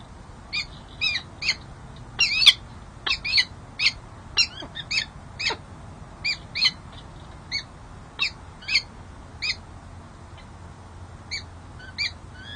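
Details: Peregrine falcon pair at the San Jose City Hall nest camera, 13 January 2024, female courting; softer, more distant series of steady harmonic chips, about two per second for twelve seconds, over background rumble.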